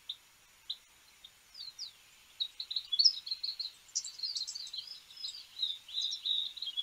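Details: European goldfinch singing: quick, tinkling twitters and chirps high in pitch, starting as scattered notes and building into a dense, continuous liquid warble over about seven seconds, fairly quiet against faint background hiss.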